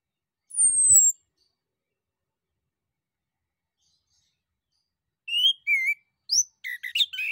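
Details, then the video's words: Orange-headed thrush male in full song, meant to draw answers from other birds: a single thin descending whistle, a pause, then a quickening string of whistled notes and chattering chirps. "SUITAN ANIS KEMBANG JANTAN DAN PANCINGAN ANIS KEMBANG GACOR"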